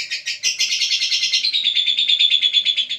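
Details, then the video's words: Lovebird giving a fast, harsh chatter of high chirps, about three notes per second without pause, with a faint steady hum underneath. "Love bird"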